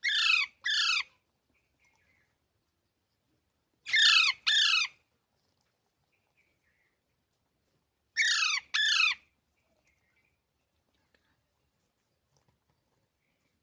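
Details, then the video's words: Green parrot calling in paired harsh squawks, each pair falling in pitch, repeated roughly every four seconds with quiet gaps between. "Funny Parrot Sounds"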